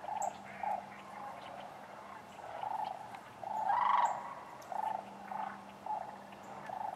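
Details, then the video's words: Sandhill cranes at Wheeler Wildlife Refuge, Decatur, on 12 January 2013 give rolling, rattling bugles overlapping from a flock, one louder call near the middle, over a steady low hum. "Sandhill cranes"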